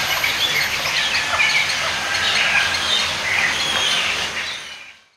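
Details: A breeding colony of intermediate and cattle egrets and herons in trees near rice fields at Ubud, Bali, in full cry: a dense, continuous wall of harsh screeches and squawks from many chicks set off by a parent arriving with food, fading out at the end.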